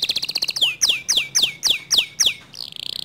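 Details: Canary whose song is said to provoke other canaries to join in: a brief rapid chirping run, then six loud, slow, sweeping notes falling in pitch, ending in a soft quick trill.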